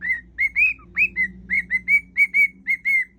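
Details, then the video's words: Cockatiel kept as a pet whistles a medley of tunes, a steady string of about a dozen pure, slurred notes, some swooping upward, delivered almost evenly over a few seconds. "whistling cockatiel"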